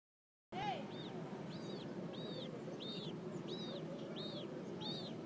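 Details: Captive Magellanic penguin chick at a zoo penguin exhibit in San Francisco, begging while its mother feeds it: a steady run of high, arched, squealing peeps about every half second over a low background hum.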